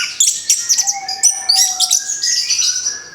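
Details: Orange-headed thrush fresh from its moult, heard in a therapy recording: a rich jumble of high sweet whistles and quick chips layered over sustained lower whistled tones, loud and continuous.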